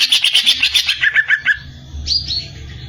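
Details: Greater green leafbird uttering a quick series of about a dozen clear, high chirps that step down in pitch, then a short pause and two sharp upslurred notes.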